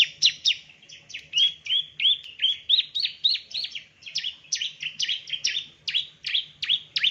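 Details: A male bar-winged prinia sings a steady stream of sharp, falling chirps for training other birds. The chirps vary slightly in pitch, run about three per second, and a faint low hum lies beneath.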